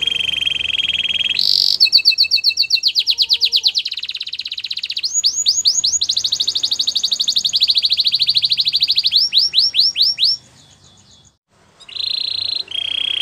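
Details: Song of a white Belgian canary: a steady high roll gives way to rapid repeated chips, then swooping rising-and-falling notes, a fast pulsed trill, a short silence, and finally buzzy level rolls at two pitches.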